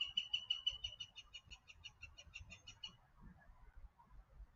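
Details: Pileated woodpecker heard through an outside microphone: a rapid, regular run of loud, bright notes that stops abruptly near three seconds, followed by quieter background murmur and low noise.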